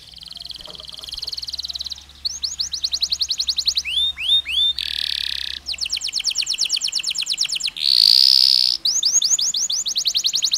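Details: Canary singing long phrases separated by pauses, used to stimulate other canaries: buzzy trills, hooked whistles, rapid pulsed rattles and a harsh buzzy burst, with a faint low hum early on.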